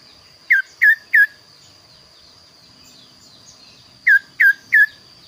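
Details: Kaso-kaso bird, described as singing vigorously with a unique, varied voice. Two evenly spaced triplets of loud, sharp downslurred whistles, about three seconds apart, with a steady thin high tone throughout.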